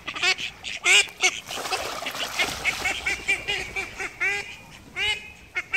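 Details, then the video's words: Flying call ducks giving loud, ringing, strongly nasal quacks in quick irregular bursts, several birds overlapping, with steady noise behind. "Flying call ducks"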